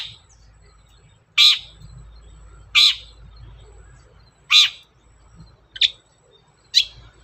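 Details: Long-tailed shrike, lure recording for making shrikes sing. Five grating, downward-sweeping notes at uneven intervals, the last two shorter and thinner, over a low rumbling background.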